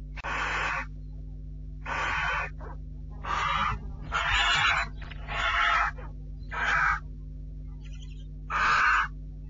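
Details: Female barn owl at the nest rebuffing a visiting male, nest camera recording, 6 July 2013, 10:30. Seven short harsh hissing bursts, roughly one per second, with a steady electrical hum beneath.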